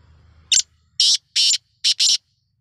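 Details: Black francolin giving a harsh, hissing series of five loud rasping notes: one short note, then two longer ones and a closely paired final two, all over a faint low hum.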